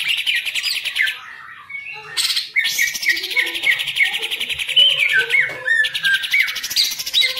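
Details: Caged green leafbird in Indonesia alternates dense chattering trills with clear whistled notes and quick slurred phrases, pausing once near the start, singing loudly throughout.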